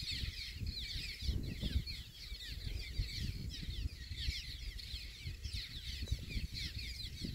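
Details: A busy cliff swallow breeding colony at the UC Merced Vernal Pool and Grasslands Reserve, 16 April 2021, with many birds giving overlapping squeaky, chattering calls nonstop. Heavy low wind buffeting largely covers them.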